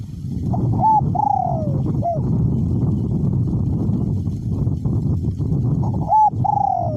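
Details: Caged decoy spotted dove with a small-to-medium voice, cooing in strong wind. Two coo phrases of clipped notes and a long sliding coo open and close the recording, with heavy wind roar in between.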